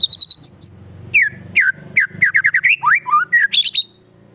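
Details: White-rumped shama in vigorous song that includes fill of konin and kinoi songs, used to provoke other shamas: quick whistled notes, then a varied run of slurred, falling and rising whistles and short chattering phrases.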